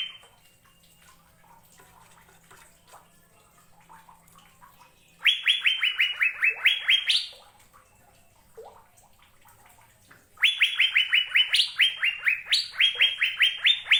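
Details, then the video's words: Indonesian Asian fairy-bluebird singing two bursts of loud upslurred whistles, each about two seconds long with roughly a dozen notes stepping slightly down then leaping higher, separated by several seconds of near-silence. "Burung Cucak Biru"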